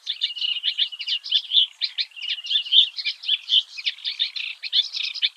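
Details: Singing Eurasian reed warbler recorded early in the morning in the Oostvaardersplassen, Netherlands; steady, rhythmic chatter of grating, clicking notes and short whistles, repeated in quick pulses throughout.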